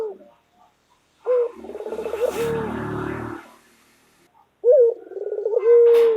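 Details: White local collared dove, kept as a pet and calling loudly. Its rolling, purring coos ending in a held low note are partly masked by a burst of broad rustling noise between two calls.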